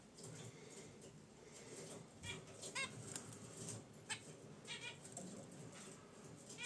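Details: Caged pet zebra finches resting beside their wicker basket nest give a few short nasal honks in quick clusters, with soft rustling and a faint steady hiss in the room.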